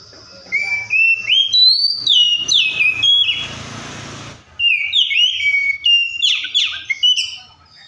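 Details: Oriental magpie-robin delivering a string of rich whistled phrases, stepping up and down in pitch. A brief burst of broadband noise interrupts mid-song before the whistling resumes.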